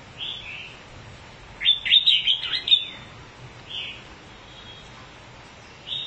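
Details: Red-whiskered bulbul that spreads its wings whenever it sings: short bright whistled notes, then a fast chattering burst of warbled notes in the middle, followed by further brief isolated whistles, with a quiet background.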